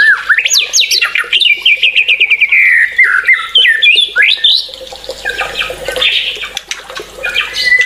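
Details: White-rumped shama singing energetically, with leaping whistles and a fast run of repeated notes sliding lower, followed by softer chatter over a rushing background.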